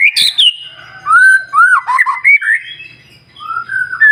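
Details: White-rumped shama in a morning song meant to trigger singing in other birds: a sharp high opening, then clear mellow whistles rising and falling in a flowing phrase, with a quiet low hum.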